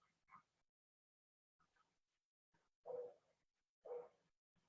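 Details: A Snowy Owl in open fields in autumn gives harsh, hoarse barks about once a second, a few faint ones then two louder barks, with nothing else clearly heard.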